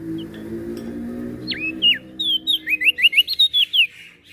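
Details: Lombok prenjak daun (prinia), an NTB bird said to sing diligently morning, noon and night, gives a dipping whistle followed by a quick string of sharp, evenly spaced down-slurred notes, over a low humming background at the start.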